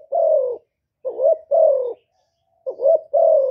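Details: Spotted dove decoy from Cà Mau in Vietnam giving its luring coo: a long falling hoot, then paired phrases of a quick bubbling upslurred note and a drawn-out low coo, separated by a near second of silence.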